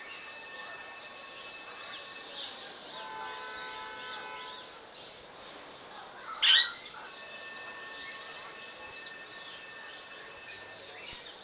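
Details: Alexandrine parakeet in Belgrade zoo, Serbia, filmed in June 2022 with a Panasonic AG-CX350 camera: one loud, harsh, grating squawk bursts out midway. Steady tonal hums and soft chatter from other birds run underneath throughout.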